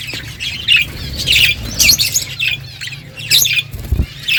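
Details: Several budgies chirping while they eat, giving clusters of bright, warbling twitters and squeaks in short bursts, with a soft low hum underneath and a thump near the end.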